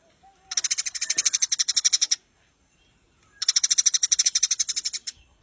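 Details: Eurasian tree sparrow, used as a training (masteran) recording for cage birds: two bursts of rapid, evenly spaced harsh chips, about sixteen notes each, high-pitched and dry, separated by a second of quiet, with a faint steady high hiss.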